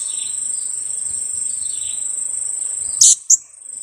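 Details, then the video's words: Two-week-old young blue-crowned hanging parrot, kept as a lure bird, gives a sharp, shrill double kiak note near the end, heard over a steady high-pitched insect drone. "junior KIAK²...usia 2 minggu"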